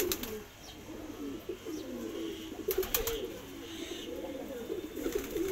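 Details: Several Madrasi pigeons, a domestic breed, coo in deep, wavering overlapping phrases, broken by a few sharp clatters and taps around the birds.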